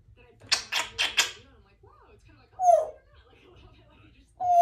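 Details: A female Congo African grey parrot practising her words and sounds at home gives three quick, breathy, speech-like syllables, then a clear falling whistle and a second short whistle, in a quiet room.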